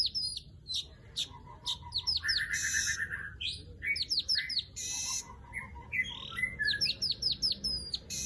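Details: Weaver giving excited chattering calls, with rapid downslurred chips, mid-pitched buzzy rasps and harsh wheezy bursts mixed in an uneven, busy sequence.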